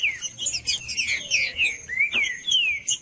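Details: Green-winged saltator in Judas song style, used to excite a quiet trinca-ferro. Clear whistles rise and fall quickly, ending in two long downward slurs, with a thin continuous high tone in the background.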